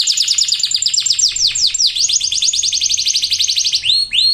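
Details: Energetic canary song meant to stimulate lazy or learning birds to sing: a continuous rapid trill of descending whistled notes, a deep swooping note near the middle, closing with two rising upslurs.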